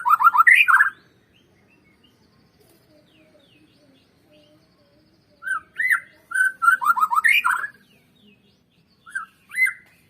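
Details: A white-rumped shama song meant to trigger singing in other birds. One phrase ends at the start, then after a long quiet gap a new strophe of whistles and fast descending slurs follows, with more notes at the end.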